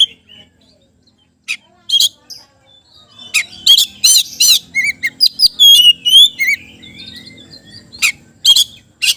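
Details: Oriental magpie-robin, a lively kacer used to prompt silent birds to sing: scattered sharp chips, then a dense jumble of twisting whistles and harsh notes, ending with more isolated chips.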